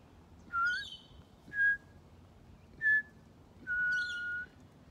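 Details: Pied butcherbird trading phrases with a person at Griffith Pioneer Park Museum on World Listening Day 2023: clear fluting notes with a bright rising onset, three short and one held longer, each about a second apart, over quiet background hum.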